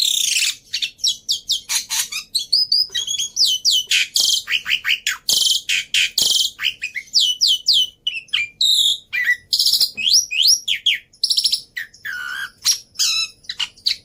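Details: Black-winged starling lure and tutor song packed with varied, easily imitated phrases: a fast, continuous stream of buzzy rasps, sharp chirps and whistled slurs, with barely any pause throughout.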